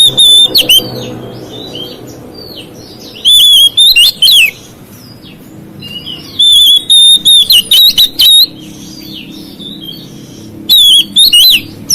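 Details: Provoking song of an Oriental magpie-robin: repeated bursts of loud, staccato, high whistled notes, several short phrases grouped together, and quieter sliding whistles in the gaps.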